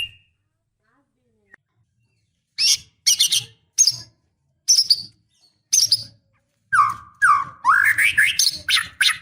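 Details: A female white-rumped shama in breeding condition calls to the male with spaced, harsh, scratchy chatters separated by silences. A quick series of rising notes follows.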